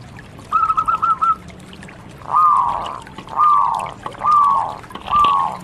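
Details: Local zebra dove opening with a quick string of five stuttered coos, followed by four longer, drawn-out falling coos spaced about one second apart.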